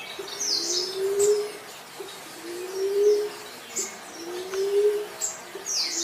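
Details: Low, smooth rising whistles from a green pigeon, three in a row about 1.8 seconds apart, with bursts of thin, high bird chirps around them.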